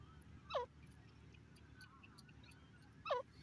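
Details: Two sharp, downward-sliding grey francolin notes, each brief and loud, spaced about two and a half seconds apart against a quiet, low rumbling background.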